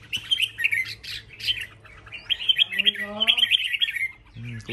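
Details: Red-whiskered bulbuls singing in competition, bursts of bright chirped and whistled notes in two runs separated by a short lull, with a man's voice briefly audible in the middle and at the end.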